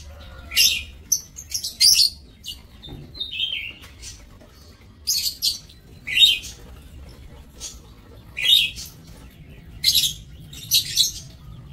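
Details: Caged lovebirds in an aviary on 5 July 2024 give sharp high chirps and short screeches, scattered irregularly with brief gaps between them, over a faint low hum.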